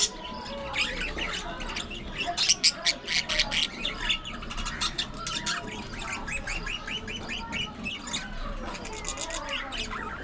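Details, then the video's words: Pet budgerigars at play, grooming and squabbling, producing a long run of quick rising and falling warbled chirps, many rapid notes strung together, over a low room hum. "Budgies Unfiltered! Love, Fights, Fun & Chatter All Day Long"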